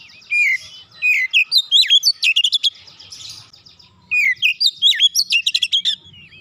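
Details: Oriental magpie-robin, or kacer, in a dense 'nembak rapat' song for quick singing in untrained birds. Two tight phrases of bright whistles and sweeping slurred notes are separated by a brief pause.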